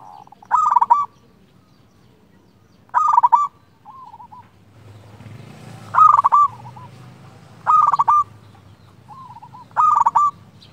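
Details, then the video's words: A local zebra dove with a clear, frequent song, used to call and lure rivals, gives five sharp, staccato coo phrases about two seconds apart with softer wavering coos between them, while a low rumbling noise rises midway. "Perkutut lokal gacor suara jernih"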